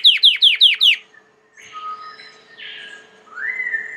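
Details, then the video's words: Belgian canary singing a quick run of five bright descending notes, followed by softer drawn-out warbled and whistled phrases with a final rising tone. "COMO FAZER SEU CANARIO CANTAR MUITO 20 MINUTOS DE CANTO"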